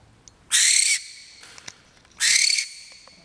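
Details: Captive male barn owl chattering while waiting for free-flight time: two harsh, hissing screeches, each about half a second, spaced over a second apart; otherwise quiet.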